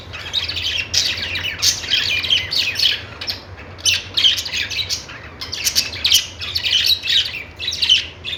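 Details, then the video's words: Budgerigars singing: a steady stream of bright, high chirps and warbled twitters in overlapping bursts, with short pauses between busy stretches, suggesting several birds calling together. "Budgies singing |budgies sounds"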